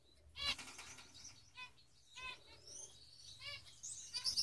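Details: Male Gouldian finches give soft, thin chirps and brief buzzy notes every second or so, mixed with quick wing flutters.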